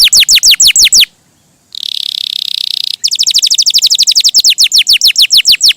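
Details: Canary song, lively and melodious: quick descending whistled notes, a pause, a harsh buzzy rattle, then a long fast run of downslurred whistles repeated about six per second.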